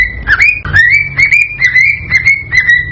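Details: Cockatiel singing excitedly to prompt breeding, with long, nearly level whistles that rise slightly at their starts, broken by brief clicks roughly every half second, and a soft low hum beneath.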